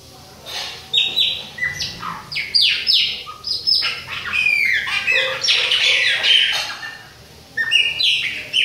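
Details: Chopi blackbird, Bahia type, young bird singing alongside an adult in autumn; busy mix of sharp downslurred whistles and harsher squawks, rising into a continuous burst midway, then a pause and fresh notes.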